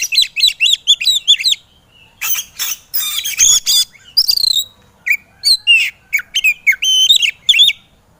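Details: White-rumped shama song from a training recording meant to get lazy birds singing; varied loud whistled phrases, slurred and warbling notes in quick bursts, with harsher buzzy notes mixed in and short pauses.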